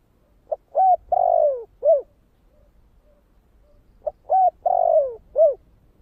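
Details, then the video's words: Two evenly spaced phrases of spotted dove cooing in the thổ kích bổi style. Each has a brief lead note, an arched coo, a long downward-sliding coo and an ending arched coo, with faint low murmurs between the phrases. "Tiếng cu gáy giọng thổ kích bổi"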